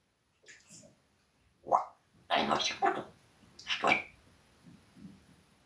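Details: Indoor parrot swearing at a cat: a run of raspy, voice-like syllables, one sharp call then a rapid string of chattering word sounds, ending with a quieter murmur.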